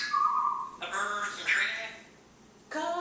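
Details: Pet African grey parrot talking indoors, asking if anyone wants peanuts or popcorn; a short steady whistle, then a second of hoarse, speech-like babble, a pause, and a new harmonic word at the end.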